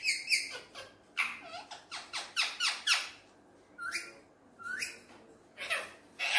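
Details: Pet Alexandrine parakeet playing with a mirror, a quick run of short harsh clicking notes, then a few scattered rising squeaks and rasps separated by pauses, quiet room.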